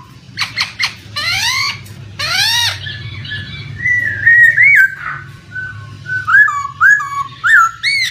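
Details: Poksay singing a lure track for training other birds: a few sharp notes, then rising upswept whistles, then a long run of warbling, looping whistled phrases near the middle pitch, over a steady low hum of flowing water.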